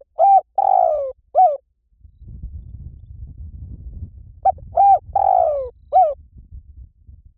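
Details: Spotted dove coo sequence for training a bird to call back: two phrases of short and drawn-out falling coos, separated by a few seconds of low rumbling background noise.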